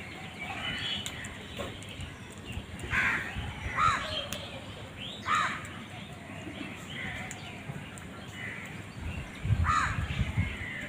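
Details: Crows fighting over food give scattered harsh caws, four short raspy calls spread across the clip over a steady, noisy outdoor background.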